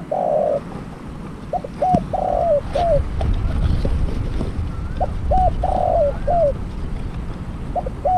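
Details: Decoy spotted dove used for trapping, after its first catch: two cooing phrases of a long burry coo, short hooked notes and a falling final coo, plus the start of another, over wind and low rumbling.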